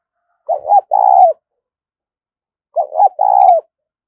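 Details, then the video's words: Spotted dove cooing in the 'thúc rút' style used by trappers as a decoy lure. There are two identical phrases about two seconds apart, each a quick hooked double note and then a sustained purring coo. No other sounds. "cu gáy thúc rút bổi dùng cho anh em đi gài, bổi và mồi nghe khó cưỡng lại"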